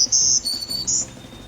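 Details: Black-throated Green Warbler, a couple present, singing in woods by Barnes Park campground trails, Michigan: three thin, high, buzzy notes, high, slightly lower, then high again, all within about a second, over faint background hiss.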